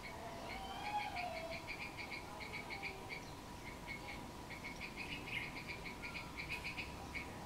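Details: Wild bird recorded in Cambodia on 6 April 2020: a long run of quick, bright chirps, about three every second, each with a thin overtone above it. A low hum and steady background noise sit under the calls.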